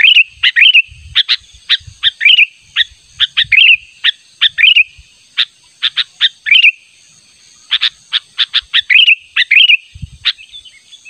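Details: Sooty-headed bulbul luring call, naturally sounding and insistent, summoning a rival: sharp clipped chips in quick bursts alternating with short bubbling, slurred phrases, over a faint high steady hum.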